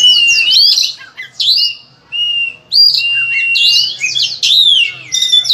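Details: Oriental magpie-robin in energetic master song full of varied phrases, used to encourage other magpie-robins to sing: loud sweeping whistles and twittered flourishes in short bursts separated by brief pauses.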